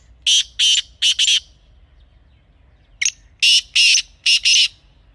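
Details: Grey francolin calling, a sound used for hunting: harsh, loud, scratchy notes in two bursts of four to five, the second burst after a short pause, over faint low background rumble.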